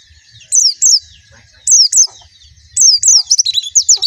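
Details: White-eye singing in short bursts: paired high, downslurred whistles repeated at intervals, ending in a faster run of twisting, chirpy notes.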